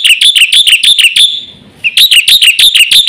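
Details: Black-winged myna in vigorous 'isian' song for tutoring other mynas: loud, bright, slurred notes repeated rapidly, a short drawn-out tail and brief pause, then the quick note series resumes.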